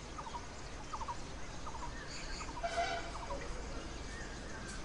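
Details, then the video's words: Blue-throated barbet calling in the Himalayan foothills in summer, short rolling mid-pitched notes a little under once a second, with a brief brighter chirp from another bird, while a Red-billed Blue Magpie feeds four chicks at its nest. "With a Blue-throated Barbet calling in the background"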